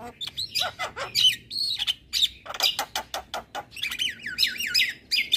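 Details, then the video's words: Javan myna and other mynas in a masteran recording for birds that sing little: busy chatter of sharp chips, harsh squawks and looping, wavering whistled notes rising and falling in quick succession. "Jalak Kebo Malas Bunyi Dan Jenis Burung Jalak Lainnya Cocok Di Kasi Masteran jalak Kebo Ini"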